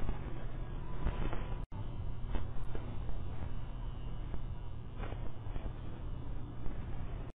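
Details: Steady broadband hiss and low rumble, possibly a vehicle, broken by a few sharp clicks, with no animal voice.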